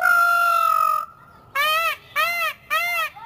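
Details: An Indian peafowl gives a long drawn note, then three loud, nasal, arching wails in quick succession, about two each second.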